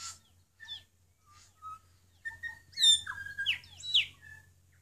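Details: North Island kōkako on Tiritiri Matangi: slow, spaced pure whistled notes, then a louder burst of sliding, ringing higher notes and twangy phrases, over a steady low hum.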